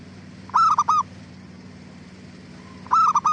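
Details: Lure song of a zebra dove, intended to make other doves answer. Two sharp bursts of quick, ringing coo notes, three in each, are separated by a quiet pause with a faint soft note before the second burst.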